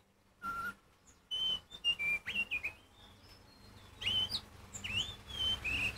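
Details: Oriental magpie-robin singing loudly to provoke other magpie-robins into answering; a varied series of clear whistled notes, some rising and some sliding down, in bursts separated by short pauses, with a faint low hum underneath.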